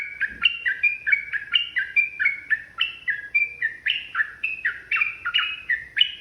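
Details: Extended rapid song of an agitated yellow-vented bulbul, used as a lure for fighting: nonstop liquid warbling notes jumping between pitches, several per second, over faint low noise.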